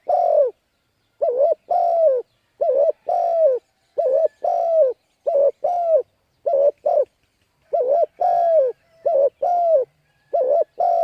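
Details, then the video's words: Repeated cooing of a spotted dove played to excite decoy birds: about eight two-part phrases, a brief warbled coo then a longer descending note, delivered steadily over eleven seconds with no other sounds. "Cu Gáy Thúc Gù Gáy Cực Phê Kích Mồi Tập Bổi Quá Hay"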